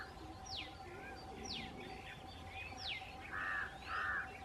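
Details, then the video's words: Large grey babbler giving thin, sharply falling squeaks about once a second, then two harsh, grating bursts, over a steady mechanical hum. "Large Grey Babbler"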